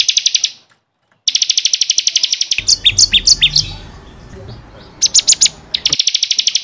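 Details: Ciblek kristal, the bar-winged prinia, in 'gacor' song meant to tutor caged birds: fast high rattling trills, a sudden silent gap, then a stretch of looser varied chirps before the rapid trill resumes.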